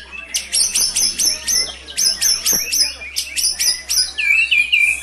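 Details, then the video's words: Vigorous song of a kept white-rumped shama from Cilacap, Indonesia, with brantakan fill material: rapid bursts of high, sharp repeated chips in tight rows, each phrase about half a second, ending in a rising whistled slur. "Murai GACOR bongkar MATERI * isian BRANTAKAN"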